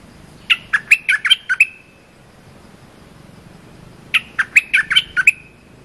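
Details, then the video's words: Cream-vented bulbul short song for tutoring young birds: the same lively phrase given twice, each a fast string of about seven sweet, tumbling chirps closing on a brief whistle. "เสียงนกดอกแตงEp.173 เพลงหัดลูกเสอ/ลูกใบ้ เพลงสั้นๆน่าฟัง Suara pikat merbah lekir gacor"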